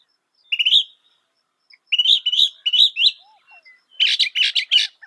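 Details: Northern mockingbird (Mimus polyglottos) singing in bursts: a rising whistled note, then a run of quick repeated chirps, then a harsh buzzy rattling phrase, with short silences between phrases.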